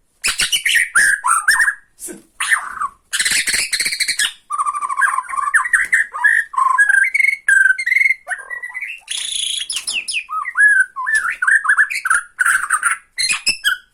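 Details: Borneo white-rumped shama singing in the tretekan style, meant to provoke and lure other shamas: a busy flow of bright whistled slurs around mid pitch, interrupted by dense bursts of harsh, high rattling notes, with brief pauses between phrases.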